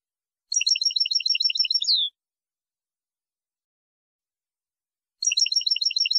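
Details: Goldfinch song phrase of rapid, evenly spaced tinkling notes stacked high, ending in a downward slurred note, repeated after a few seconds of silence.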